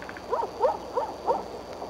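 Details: Wild bald eagles of Decorah, a mother and father perched together on the Y branch near their nest, around 9:00 am on 3 March 2013. Four short chattering notes come about every third of a second over a steady low hum.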